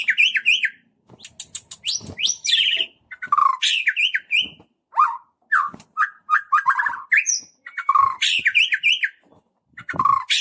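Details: White-rumped shama singing a lure song meant to provoke other shamas, in the 'cess plengg' style: rapid varied phrases of sharp chirps, bright whistles and rolling trills, broken by brief pauses.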